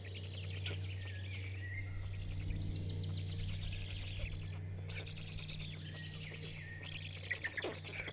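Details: Five Black stork (Ciconia nigra) chicks at a nest in Jõgeva County, Estonia, being fed by an adult on 29 May 2022 around 15:25, keep up a rapid, hoarse, wheezy begging chatter over a steady low hum.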